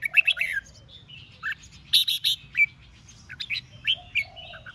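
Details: Contest song of red-whiskered bulbuls, played so newly caught birds answer and sing back: lively, tumbling chirps and bright whistled notes almost throughout, strongest bursts near the start and around 2 seconds.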